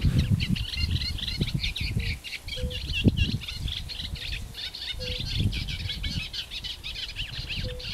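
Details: Eurasian reed warbler singing on ponds at Jaktorów, Poland, on 10 May 2022, alongside a river warbler and calling fire-bellied toads: dense chattering, rapidly repeated notes, over low rumbling background and occasional short tonal toad-like notes.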